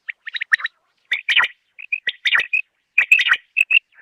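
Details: Rain quail (Coturnix coromandelica) in KPK in July, used for quail hunting, gives sharp, metallic chirped notes in quick clusters of two to four, repeated about every second, with a faint squeak near the end.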